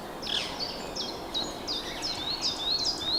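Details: Goldcrest calling high in trees in a local park on 22 March 2025, giving very high, thin, sibilant notes in a quick uneven series, roughly two or three a second, over a soft outdoor hiss.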